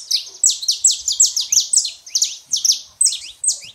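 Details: Saffron finch song, male and female birds kept to stimulate a quiet canary; rapid high-pitched chattering phrases of sharp, buzzy notes repeated about every third of a second, clear and continuous.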